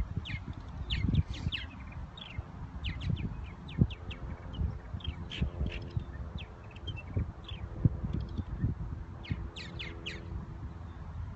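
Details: Purple martins in spring at Irving Park and Lake Michigan, Chicago, give quick, chirpy gurgling notes in scattered bursts over steady low rumbling wind or traffic noise and a brief droning hum.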